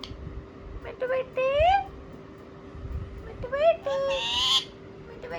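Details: Talking ringneck parakeets responding with a few clipped syllables, a rising drawn-out vowel-like call, then a louder, scratchy, high-pitched burst near the end, over a faint hum.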